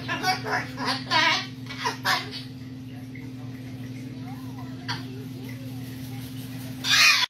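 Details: Umbrella cockatoo, a sassy talking pet, hopping on a branch and replying sarcastically after being warned it might fall: harsh laugh-like bursts, quieter wavering notes and one loud final burst over a steady indoor hum.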